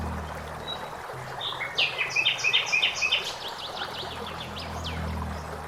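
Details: Singing common blackbird in forest with flowing water: a short whistled lead-in, then a burst of quick bright chirping notes and fading high twitters, all over a constant murmur of water.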